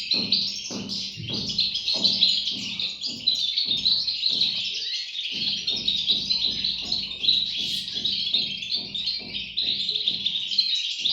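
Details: European goldfinch nestlings chirping in a constant shrill chorus, accompanied by regular low thudding pulses roughly twice a second that pause briefly midway.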